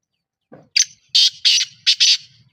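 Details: Black francolin, known locally as kala teetar or Black Partridge, recorded in Pakistan: a soft low note, then five harsh, grating, hissy notes in a quick rhythmic phrase lasting about two seconds, the last two closely paired.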